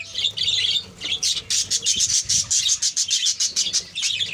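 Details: Kept colony of budgerigars producing a continuous, high-pitched chattering warble, fast pulsed chirps following one another several times a second, with many voices overlapping.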